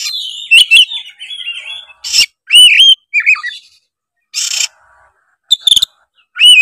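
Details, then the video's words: Competitive singing of an Oriental magpie-robin: a wavering whistled opening, then loud looping whistles and harsh rasping bursts delivered in short separated phrases. "suara kacer gacor full narung"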